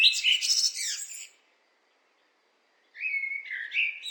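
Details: A blackbird's phrase ends in a burst of thin, high twittering, then after a silent gap a new low, fluty whistled phrase begins.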